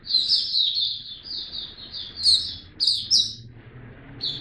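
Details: A caged white-eye in a song display sings a fast, continuous run of high, thin twittering notes with sharper chirps mixed in, over a faint low hum.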